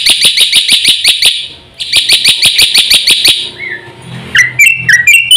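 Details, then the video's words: Black-winged myna in fast, full song, used as a lure to make silent birds sing: rapid high chattering notes, about three per second in two bursts, then a short rising whistle and several sharp, clipped whistled notes. "suara masteran jalak putih gacor full isian cepat untuk pancingan burung jalak macet bunyi"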